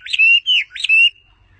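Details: Three long, clear whistled notes from a bird perched on its owner's hand. Each note rises sharply and then holds steady, followed by silence.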